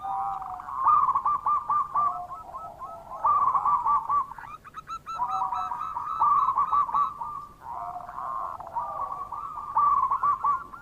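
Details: Local zebra dove lure call, meant to prompt reluctant doves into calling. Low, mellow cooing trills repeat in long phrases that overlap one another, over a steady background hiss.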